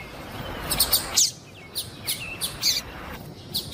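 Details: Calling female Double-collared Seedeater, whose calls are played to stimulate a male to sing; thin high chirps repeated irregularly about every second, some with faint lower whistled slurs.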